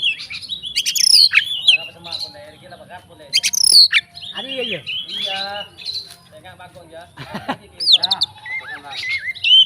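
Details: Oriental magpie-robin, a fighting bird meant to trigger other magpie-robins, delivers a rich, varied song of whistled slurs, harsh rasping notes, chattering runs and downward-swooping calls in uneven phrases, with a soft background hum.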